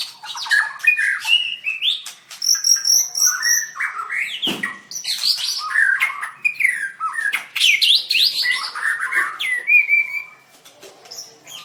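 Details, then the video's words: {'caption': 'White-rumped shama, a contest-winning songster recorded 7/25/16 while dancing and singing: dense rapid stream of whistles, buzzy trills, squawky chirps and high thin notes, almost continuous and overlapping, ending in a quieter stretch.'} "Birds White-rumped shama dancing and singing like crazy till chirped sorethroat"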